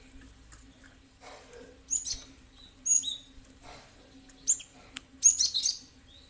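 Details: Cinereous tit lure recording: scattered high, sharp chirps and short twitters, some in brief clusters, spread over several seconds, with a soft low hum and faint rustling.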